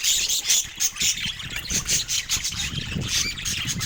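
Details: Pet budgerigars playing with toys: dense, bright chattering chirps and squawks, rapid and overlapping, with several birds calling at once and soft low thumps of movement underneath.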